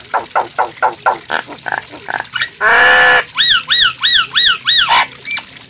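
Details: Nias hill myna in full song: a run of short pulsed notes, then a harsh loud burst, followed by evenly repeated arched whistles about three per second.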